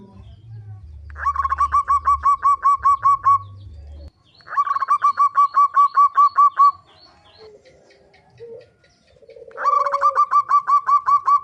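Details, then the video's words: Zebra dove singing, used as a lure to get birds calling: three bursts of rapid, evenly spaced rolling notes, each run lasting two to three seconds, with a low hum and a brief lower call between bursts. "Burung Perkutut pikat gacor suara paling AMPUH"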